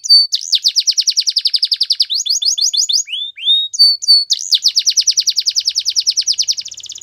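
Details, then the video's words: Singing canaries deliver a rolling high trill, a brief stutter of paired notes and two soft whistles, then a long fast trill that ends in a fine buzzy rattle. "Canaries Singing"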